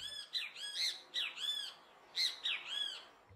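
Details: A Great Kiskadee among urban birds calls its loud, strident three-part 'kis-ka-dee' phrases, repeated in quick succession.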